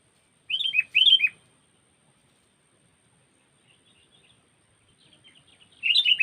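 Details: Trapping-lure call of a sooty-headed bulbul: two quick gurgling phrases of slurred whistles at the start, a quiet stretch with faint soft notes, then another loud bubbly phrase at the end.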